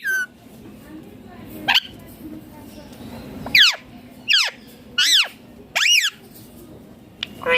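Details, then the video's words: Ringneck parakeet giving loud, harsh, arching screeches, several short notes in quick succession roughly every half to one second, each with a bright layered ring, over a quiet background murmur. "Loud Parrot Chirping/Natural Parrot Sounds || Parrot Calling Sounds ||Ringneck Parrot Natural Voice"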